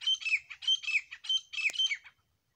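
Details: Grey francolin, known locally as desi teetar, a pair calling: four harsh, squawky bursts in quick succession, each a cluster of scratchy notes, ending abruptly with a sharp click, then silence.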